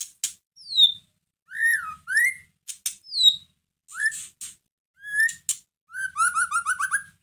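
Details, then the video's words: Caged white-rumped shama provoking song: short whistled swoops separated by sharp clicks and pauses, finishing with a fast run of repeated rising notes. "Pancingan masteran pendongkrak emosi murai batu loyo langsung nyahut Gacor"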